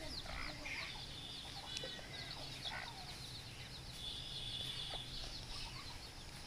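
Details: Several baby chicks chirp busily, shrill short notes tumbling over one another, with one longer, steadier high tone near the middle and a humming background.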